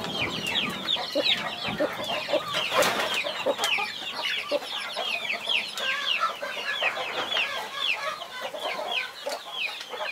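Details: Twenty-one baby chicks with their protective mother hen, heard as rapid, overlapping, high-pitched falling cheeps that barely pause, plus occasional brief clicks and scuffs.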